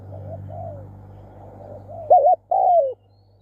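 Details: Spotted dove used for decoy luring, giving two loud throaty coo notes, the second long and falling, after softer low coos, over a steady low electrical hum.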